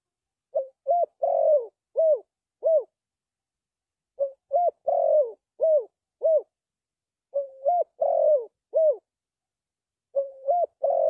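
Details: Spotted dove cooing in a repeated phrase of about five hollow notes, one long and slurred in the middle. The phrase repeats four times, roughly every three seconds, with short silent gaps. No other sounds.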